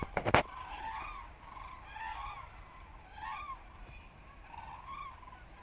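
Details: Common cranes on autumn migration over Frankfurt am Main-Preungesheim, Germany, 17 October 2023, 14:45, overcast and murky, recorded on a smartphone; rolling, trumpeting calls from several birds repeated through the clip, after a loud clatter at the start, with background hum.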